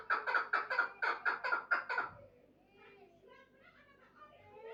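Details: Chukar partridge gives a short burst of about nine harsh clucking notes in quick succession, followed by quiet human voices and soft indistinct sounds.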